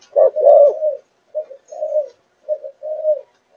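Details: Spotted dove of Malaysian line, four months old, giving a longer first coo followed by three shorter soft hooted phrases separated by brief pauses, in a quiet setting.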